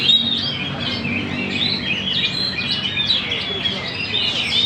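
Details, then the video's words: Magpie-robin singing in Banjar: a busy run of varied chirps, trills and short whistled notes between 2 and 6k, steady and continuous, over low background hum. "Burung murai Gacor di Banjar indah"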